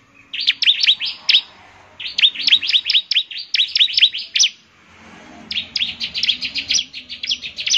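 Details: Lively bar-winged prinia song meant to draw replies from other prinias. Quick runs of high, clipped, V-shaped notes come in three bursts separated by short pauses. A faint low hum sits underneath.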